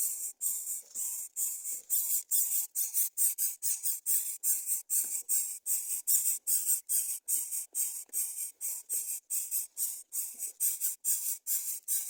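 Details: Greater coucal chicks begging, giving harsh, hissing rasps, about two to three bursts a second in a steady run with short gaps; the chicks refuse to eat fish.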